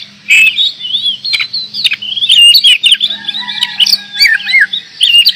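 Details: Kacer (oriental magpie-robin) from Indonesia in strong song: looping whistles and downslurred notes pour out over a faint low hum and thin steady tones, with occasional harsh crackles.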